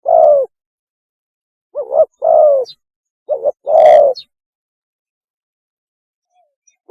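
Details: Mating call of a spotted dove, used as a lure: a long drawn coo, then two phrases made of a quick double note and a sustained, slightly falling, throaty coo.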